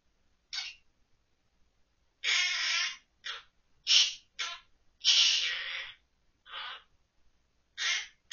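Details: Pet monk parakeet, recorded October 2023, singing Korean children's songs from memory, including Ppo Ppo Ppo and San Tokki. Raspy, voice-like phrases of varied length come in irregular bursts with short silences between them, in a quiet indoor setting.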